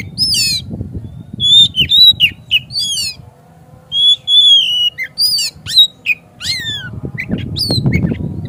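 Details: Oriental magpie-robin (kacer) lure song, played to provoke a kacer into singing persistently and opening its tail: varied, sweet whistled phrases with sharp upslurs, downslurs and trills in rapid bursts, over a low rumbling background noise.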